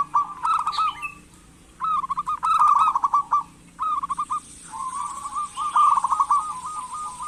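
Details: Actively singing local zebra dove meant to prompt silent doves to call: a series of rapid, stuttering coo phrases of varying length, the last one long and evenly beaded.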